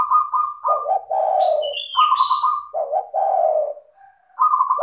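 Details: Vigorous spotted dove song for luring other doves to call: buzzy trilled notes alternating with hollow low coos in quick succession, plus a sliding high whistle midway, then a short gap before the trill resumes.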